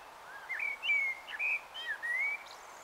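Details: Common blackbird warbling its evening song at dusk in Taunton, Somerset, on 21 March 2018 around 18:12; fluted, mellow whistled phrases rising and falling, several notes in quick succession over steady background hiss.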